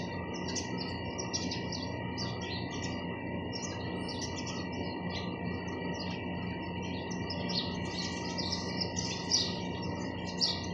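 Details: A busy flock of sparrows gives a near-continuous stream of short high chirps, densest toward the end, over a steady mechanical hum.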